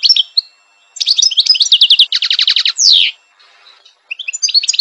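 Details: European goldfinch of the parva subspecies singing: rapid tinkling twitter of high trills and buzzy notes, a fast run of repeated chirps, then a sweeping slurred note, a short pause and more twittering.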